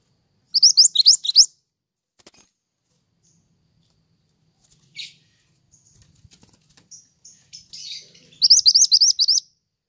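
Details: Pied triller, known locally as mantenan, recorded as lively training audio for songbirds and bird trapping: bursts of rapid, high, sharp chirps in quick repeated series open and close the recording, with scattered faint ticks and short buzzy notes between.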